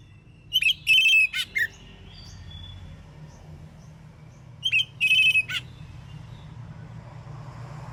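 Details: Morning song of an Oriental magpie-robin in ngeplong style, aimed at making other magpie-robins answer: the same loud ringing whistled phrase given twice, about four seconds apart, each ending in a downward note, separated by quiet and a low hum.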